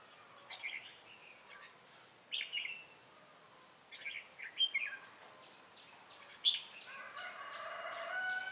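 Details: Red-whiskered bulbul decoy, "ché" song, trapping in Bình Phước, Vietnam, 25 June 2018. Several short bright warbled phrases, then a rising steady background hum with tonal noise toward the end.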